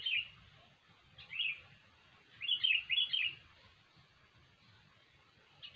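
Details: Lively singing sooty-headed bulbul, a recording meant to lure birds into traps: brief, burry, chattering phrases, with a quick run of three in the middle, separated by short silences over a faint low rumble.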